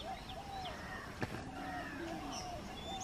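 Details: Yellow-footed green pigeon at Mezhathoor, Palakkad: soft mid-pitched whistled notes repeated every half second, with a lower drawn-out mellow whistle that rises and falls, over steady background hiss, faint high chirps of other birds and one sharp click.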